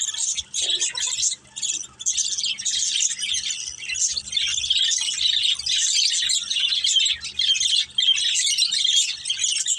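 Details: Budgerigar family at play: an unbroken wash of high, bubbling chirps and warbled twitters from several birds, dipping briefly into short pauses before the chatter swells again.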